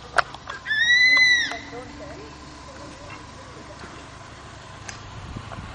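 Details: Crested serpent eagle pair outside Kulgi nature camp near Dandeli and Anshi Tiger Reserve, Uttara Kannada, Karnataka, on 18/12/10, apparently duetting in breeding season. A loud, clear whistled note is held about one second, followed by faint softer bird notes over steady background hiss.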